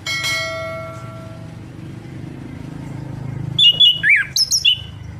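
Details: After a long stretch of low hum and a brief tonal sound, a burst of sharp, high whistled notes and chirps arrives near the end. Orange-headed thrush song played to rouse a non-singing bird.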